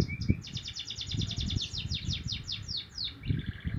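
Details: Young Javan munia learning to chirp, delivering a fast, steady run of thin, high, down-slurred chirps lasting nearly three seconds, over low background rumble.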